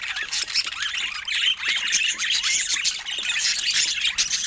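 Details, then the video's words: Budgerigars, described as a pair in love, chattering steadily. High, busy warbling chirps and squeaky twitters run without pause, with quick rising and falling notes. "Budgies in Love 💕🐦 Sweet Chirping Sounds"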